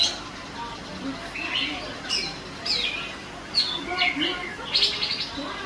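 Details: A female greater green leafbird in busy song: sharp high chirps and brief twittering slurs scattered through the clip, several close together near the end, set against steady hiss and a low background hum.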